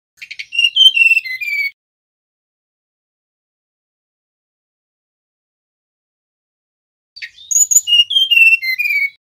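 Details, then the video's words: Two separate phrases of a male mangrove blue flycatcher's whistling, several seconds apart. Each starts with a buzzy note and runs into sweet whistles that slide lower, with silence between the phrases. "Suara tledekan bakau jantan nyiul"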